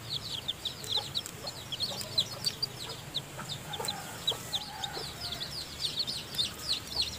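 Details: Chicken: a brood of newly hatched chicks in their nest as the hen feeds them, peeping constantly in shrill, quick, downward-sliding notes, many voices overlapping.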